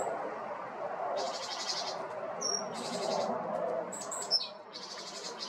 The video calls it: Great tit bird song, Great tit singing and chirping